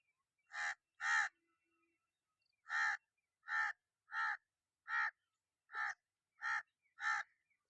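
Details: Loud rasping caws from a crow, nine in all, spaced roughly half a second to a second apart after an opening double, with nothing else audible.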